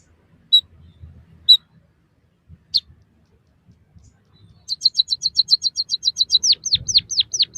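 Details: White-headed munia (emprit kaji) song used to train captive birds. A few spaced single notes give way to a long, rapid train of high chirps, then several descending whistled slurs.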